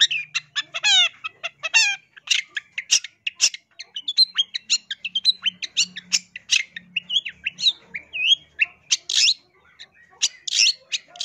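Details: Long-tailed shrike singing for bird luring, a dense varied medley: rapid descending trilled notes early, then a busy stream of chirps, whistles and harsh bursts, with a faint low hum.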